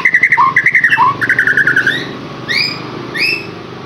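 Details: Captive white-rumped shama song meant to stimulate another bird to sing: a fast run of repeated paired chirps, then a buzzy trill and two high rising whistled notes separated by pauses.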